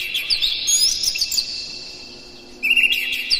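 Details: Morning Oriental magpie-robin song used to stimulate captive birds: a continuous run of high, squeaky, warbled notes, then a quiet second before another loud twittering burst.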